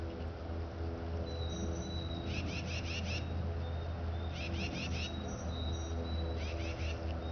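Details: A tufted titmouse at Lake Livingston State Park, Polk County, Texas, on 7 March 2014 gives three bursts of clear, rapid whistled notes, about five to a phrase, every two seconds or so, over a steady low rumble.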